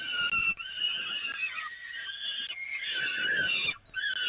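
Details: Peregrine falcons being fed from the nest grating at the Evoluon, 13 May 2018, give rasping, sustained whining cries that waver slightly in pitch, with a short break near the end.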